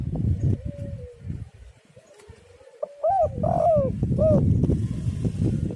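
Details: Lure call of the spotted dove (derkuku): a few faint drawn-out notes, then one clear phrase of arched coos with a longer falling note, followed by low rumbling noise.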